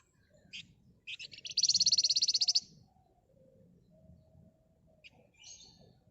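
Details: Excited flamboyan bird with a dense, harsh song used to provoke other birds: stuttering high chips accelerate into a rapid, strongly pulsed buzzy trill of about a second, followed by faint chips.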